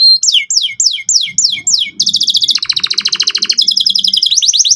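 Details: Canary song aimed at young canaries still learning: six swooping descending whistles, then quick buzzy trills alternating between a high and a lower pitch, with a faint low rumble.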